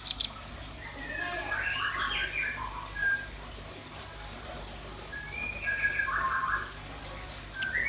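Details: Varied warbling phrases from a red-billed nuthatch or white-rumped shama, mid-pitched and slurred, with a few short high upslurred notes between them and a quiet hum underneath.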